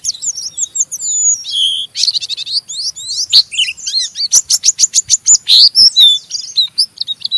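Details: Oriental white-eye (pleci) in rough ngeriwik chattering song, used to spur other white-eyes to sing; varied high whistles, a dry buzzy rattle, then a fast run of sharp repeated strokes about twice a second.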